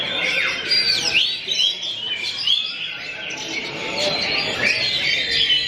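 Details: Oriental magpie-robin (kacer) at a bird song contest. It sings bright, varied phrases of high whistles, rapid chirps and sweeping slurred notes. Other contest birds and voices are audible behind it.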